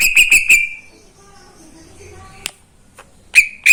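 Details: Greater green leafbird in a cage singing in the morning: four quick, bright whistled notes, a long pause with faint background noise, then one sharp click and a final loud whistle.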